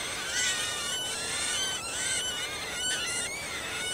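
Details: Feeding of Marsh warbler chicks in Kalinovsky forest park, Yekaterinburg, on 30 June 2020; sustained high harmonic calls that rise and fall in overlapping arcs, broken by brief pauses roughly every second.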